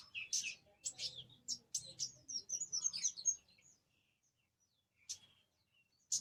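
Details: An orange-headed thrush pours out a rich, rapid jumble of high whistles, trills and chattering notes for nearly four seconds, then goes quiet apart from two short sharp notes.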